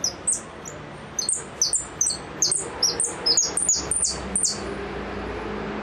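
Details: Goldfinch in full repique: clusters of piercing, high descending notes delivered in quick, choppy bursts with brief pauses, over a quiet room hum.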